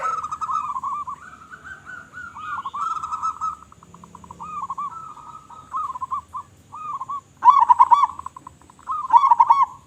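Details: Zebra dove of a local strain, singing actively with a loud voice. A long string of soft, wavering coos and short clipped notes gives way to two loud, rapid stuttering bursts near the end.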